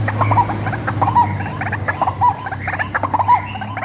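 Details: Hand-reared white-breasted waterhen giving a lure call: rough, nasal croaking bursts, each ending in a short ringing note, repeated roughly once a second over a constant low droning hum.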